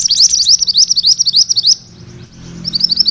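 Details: A mantenan kuning gives its rolling "ngerol" song, a rapid run of high, thin, sharply slurred notes, about three or four a second, that breaks off briefly and then starts again.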